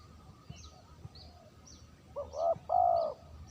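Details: Spotted dove lure call arrives after a quiet stretch of light chirping from other birds: a short upturned note then a longer steady coo near the end.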